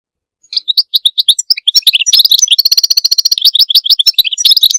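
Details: Goldfinch song opening with spaced, high tinkling chirps that quicken into a dense run of rapid twittering and a buzzy, tinny trill, then returns to quick liquid notes; no background noise.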